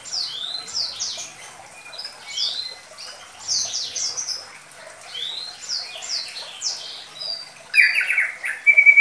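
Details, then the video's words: A Medan-type white-rumped shama gives a simple lure song suited to young birds: high, clear whistled phrases in quick slurred bursts every second or so, ending in a louder, harsher chattering run. "Pancingan Sederhana Pastol || Murai Batu Medan"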